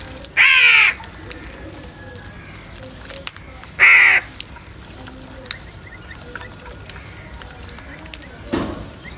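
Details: During a morning scramble for food, a crow gives two loud, harsh, buzzy caws about three seconds apart, then a quieter low thud near the end, with faint background clicks.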